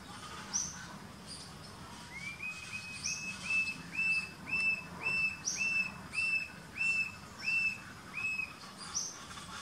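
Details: A Coppery-chested Jacamar with a fractured beak calls: a series of high, thin, slightly rising whistled notes, about two per second, with faint higher chips and soft background forest hum.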